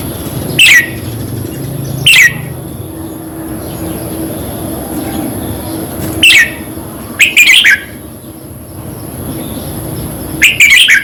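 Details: Red-whiskered bulbul song played to caged birds to excite them: loud short warbled phrases sweeping down from high pitch, repeated at irregular intervals over a low background hum and faint other birds.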